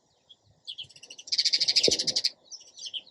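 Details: Sparrow bursts into a loud, fast series of chirps lasting about a second, then softer scattered tweets follow.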